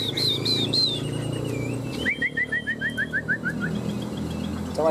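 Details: Chinese hwamei singing in a fighting-song contest, one of two tame caged birds kept three years: a few high whistled slurs, then a fast descending series of about ten short sharp notes.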